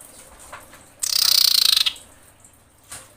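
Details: Common iora female in breeding condition calling to males: a single fast, dry trill of about twelve rapid high notes lasting under a second, with faint short high notes before and after.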